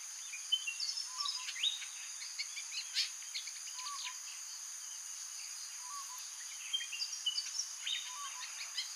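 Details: White-breasted Woodswallows, filmed near Cairns, give bursts of short, sharp chirps, clustered early and again near the end, over a steady high insect hum.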